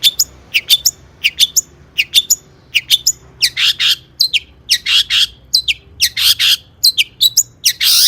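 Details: Tutor song of a long-tailed shrike in 'gacor tembakan' style for training other birds: a long run of crisp, high chirps repeated several times a second, turning harsher and buzzier toward the end.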